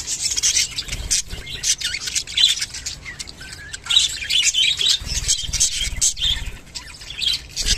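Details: Several rainbow budgerigars produce a mating call, a constant mix of warbling chirps, clicks and short squeaks overlapping without pause, over a steady low background rumble.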